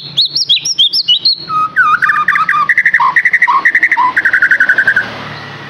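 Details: White-rumped shama lure song: high, quick whistled phrases lead into long runs of fast, rhythmic chattering notes, with occasional lower dipping notes.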